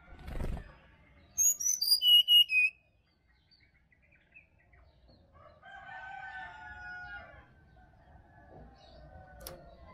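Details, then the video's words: Wild Bali sirdadu singing in forest, recorded for use as a morning lure for caged birds: a rapid descending series of high whistled notes, with a thump at the start and softer lower bird chirps afterwards. "SUARA ASLI HUTAN SRDC BALI COCOK UNTUK PANCINGAN DI PAGI HARI SRDC MALAS BUNYI"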